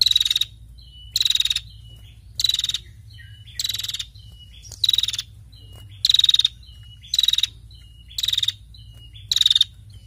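A female prinia gives harsh, buzzy rattling bursts about once a second, high-pitched and insistent, with soft short whistled notes between them.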